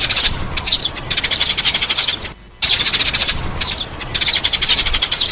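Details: Eurasian tree sparrow lure recording: bursts of rapid, high chirps in dense trains, broken by a short silent gap near the middle.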